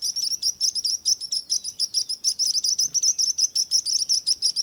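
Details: Singing birds give dense, shrill chirps, quick twittering notes packed close together with little pause, against a soft background hiss.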